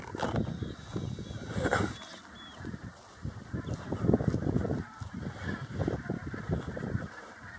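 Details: A flock of Brent Geese grazing on grass, squabbling as the birds move about, heard from close behind a tree: a dense, continuous chatter of low, guttural overlapping calls rising and falling in bursts.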